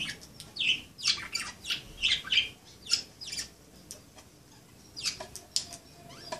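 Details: Playing budgerigars squawk and chirp in a quick run of harsh, buzzy notes over the first three seconds, then give a few sharper chips after a short pause.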